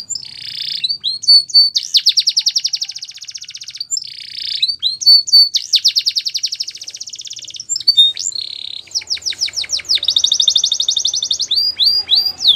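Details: A canary sings repeated cycles, each a few sharp chirps leading into a long rapid trill of high notes, the pattern returning roughly every three to four seconds with slight variation in pitch.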